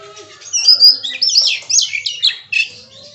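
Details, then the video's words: Kacer, the Oriental magpie-robin, in 'bongkar isian' song: a run of loud, varied high chirps, sweeps and trills in short packed phrases, faint lower notes of other birds in the background. "Suara Burung KACER bongkar ISIAN"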